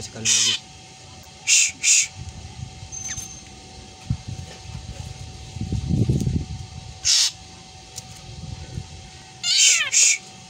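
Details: Black drongo, a bird known for copying a cat's meow, giving scattered single and paired harsh rasping shrieks with quiet gaps, plus a brief falling meow-like note near the end and low rumbling noise.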